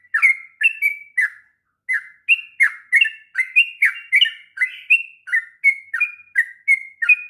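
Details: Sooty-headed bulbul in long continuous song meant for teaching juvenile birds, pouring out bright whistled notes with brief buzzy edges, alternating low-dropping and higher flat phrases, one short pause near the start, otherwise unbroken.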